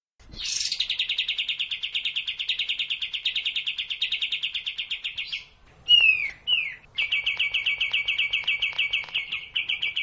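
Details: Sooty-headed bulbul tutor song used to train caged birds to start singing quickly: a sharp rising opening note leads into a long, even, rapid trill lasting about five seconds, then brief slurred whistles and a second steady trill.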